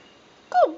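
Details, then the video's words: Pet eclectus parrot talking indoors in a small room: one short, voice-like harmonic utterance that swoops sharply downward in pitch over about a quarter second, with a person's soft praise nearby. "eclectus parrot talking"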